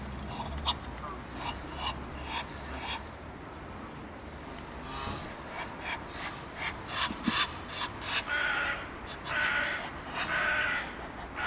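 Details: Mating Egyptian geese, February 2017: scattered hoarse, nasal calls at first, building after about eight seconds into a loud, rhythmic run of rasping honks.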